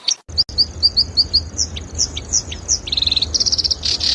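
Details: Black-browed reed warbler song used as a model for training songbirds: a run of short high chirps, then sliding notes and rapid buzzy trills, rising in tempo toward the end, over a faint low hum.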